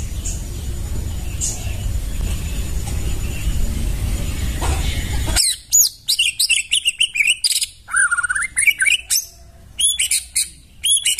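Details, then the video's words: White-rumped shama song from the forest, used as a tutor recording: after about five seconds of broadband hiss, a varied run of loud whistled sweeps, upslurs and sharp chattering notes, quick and phrase-packed, with faint other birds. "Masteran murai suara asli dari hutan"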